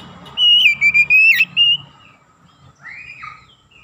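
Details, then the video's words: Singing kacer, the Oriental magpie-robin, in gacor form as a lure: one loud phrase of linked level whistles, then a faint single note that rises and falls after a short silence. "PANCINGAN TERCEPAT MENAIKAN EMOSI KACER GACOR DENGAN CEPAT"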